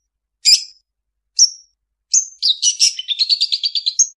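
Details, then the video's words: A long-tailed shrike gives two sharp, high chirps, then a quick run of about ten bright, even notes, borrowed phrases from other birds such as ciblek, murai, prejak tamu and chicken, against a quiet background; mimicry-rich song. "Suara burung cendet mp3 banyak isian"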